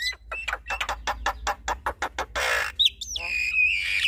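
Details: Javan myna pair, male and female, dueting: a run of regular harsh clicking notes about four per second, then a broad raspy burst and a drawn-out whistled note sliding and holding steady.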